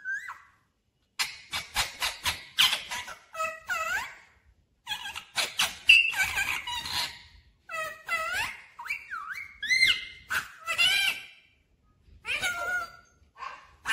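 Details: Talking parrot, said to speak 'mummy' and 'papa' clearly, producing bursts of squeaky, harmonic syllables and swooping whistle-like notes in quick phrases separated by short silences, with no other sounds.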